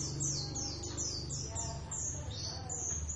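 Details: Paired Javan Oriental white-eyes practise singing ngeriwik: a steady series of very high, downward-slurred chirps in quick succession over a low humming background.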